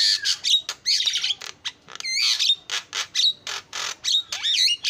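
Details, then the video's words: Very active Javan myna song, rapid alternation of rasping broadband bursts and loud whistled notes, some sweeping up and down, delivered almost without a break. "JALAK KEBO SUPER GACOR SUARA ISIAN"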